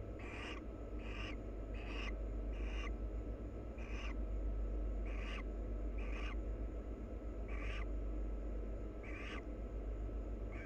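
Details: A wild barn owl pair preening and kissing each other: short raspy chittering bursts with upward-bending tones, repeated roughly once per second across the stretch, over a steady low hum.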